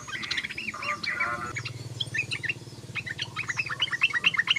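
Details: Sooty-headed bulbul (trucukan) chattering song, called ngoceh or ngeriwik: quick bursts of short bright chirps and warbled notes, denser at first, then scattered rapid chips over a steady low hum.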